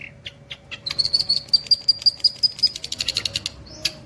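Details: Long-tailed shrike song: a rapid series of high, sharp, evenly spaced ticking notes accelerating into a dense chattering burst, with scattered harsh clicks and a faint steady low hum.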